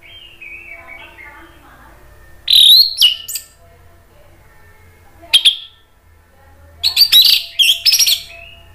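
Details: Orange-headed thrush, a caged bird in Indonesia, song used to provoke other thrushes to answer: quiet warbled notes, then loud bursts of sharp, high, scratchy phrases in three clusters, with a faint low hum beneath.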